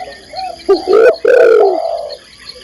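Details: Female spotted dove calling the male: a soft coo, then two loud, hoarse, falling coos in quick succession before fading to quiet.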